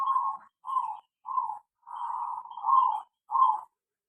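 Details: Zebra dove singing in an aviary: a series of six short, trilled, mid-pitched cooing phrases in quick succession, the fourth drawn out and joined to the fifth, with silent gaps between.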